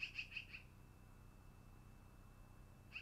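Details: Long-eared owl at its nest, dated 10-08-2018 between 13:32 and 14:32: four quick, sharp, high chipping notes in a fast run, then one more at the end, over a steady thin electronic whine and low hum.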